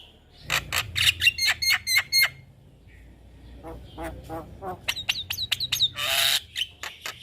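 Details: Javan myna song for training juveniles, fast sharp clicking notes, a quiet gap, then chattering notes, upslurred whistles and a harsh broadband screech.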